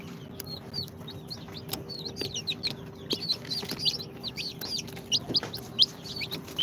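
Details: Newly hatched incubator chicks on day two, of Sultan, Golden Sebright, Cochin and booted breeds, keeping up a constant stream of high, sliding peeps from many birds, growing louder and sharper toward the end, with a faint hum.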